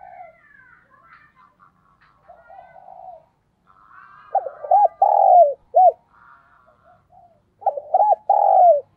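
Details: Decoy spotted dove in a mixed style, with urging and calling coos. After soft, faint notes come loud, rounded, hooting coos in two bursts, each a quick cluster of bowed notes ending on a longer coo.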